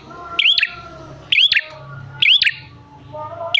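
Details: Lure recording of a bar-winged prinia to make prinias respond: three loud upslurred chirps with clicky edges, about a second apart, over a low rumbling hum.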